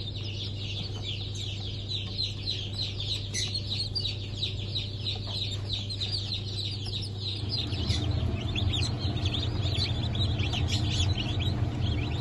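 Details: A group of freshly hatched chicks from a 1 April 2024 hatch of Brahma, Sussex and Maran breeds peep rapidly and continuously. Partway through, the constant low hum beneath them shifts and grows louder.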